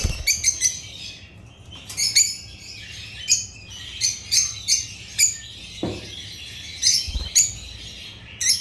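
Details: African Agapornis lovebirds give distinct, sharp, high chirps in short clusters, spaced about half a second to a second apart, over a quiet background with a couple of low knocks.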